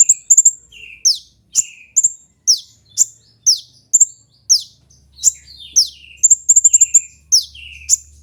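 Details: Kolibri ninja, a sunbird, used as tutor and lure audio for trained birds. It gives rapid high ringing chips and steep downward slurs, with short bursts of several quick notes among lower buzzy trills, in a near-constant series.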